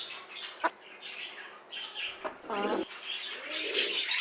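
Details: Silkie chicken whose calling seemed to change after waking, recorded 25 June 2024: one short nasal, harmonic call lasting about a third of a second, then a softer curved note, over constant high chirping from small birds.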